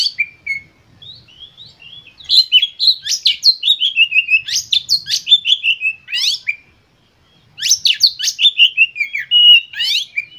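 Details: Agitated lure song of an Oriental magpie-robin (kacer), used to prompt other kacer into singing: a long, rapid run of varied notes that mixes sweet whistles with scratchy downward sweeps and pauses briefly before resuming just as fast.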